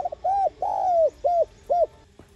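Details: Spotted dove coo used to excite decoy birds: a quick stuttered start, then one long drawn-out falling coo and two shorter rounded coos, clearly heard over slight background hiss.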